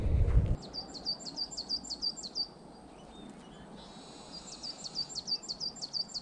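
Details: A great tit sings in a forest area by heathland in the Lüneburg Heath, Germany, in March 2024 around sunset. It gives two quick bursts of about eight high, ringing two-note phrases each, over a steady low rumble with a brief thump at the start.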